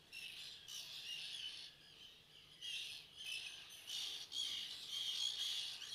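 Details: Juvenile common terns at a breeding colony of several hundred pairs, Seaforth nature reserve, Liverpool, on 31 August 2015: harsh, grating squawks in overlapping bursts roughly every second, several birds calling together, with steady background hiss.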